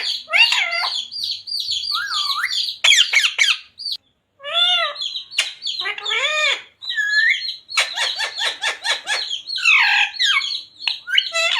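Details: Parrot talking, repeating taught words like radhe radhe and mummy papa; a busy, near-continuous flow of chattering syllables, nasal sliding notes and clicks, with one brief pause.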